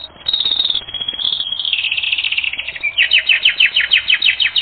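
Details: Training-record canary delivering high sustained notes that slide into a fast rolling trill, followed by a quick series of sharp downswept chips repeated several times per second.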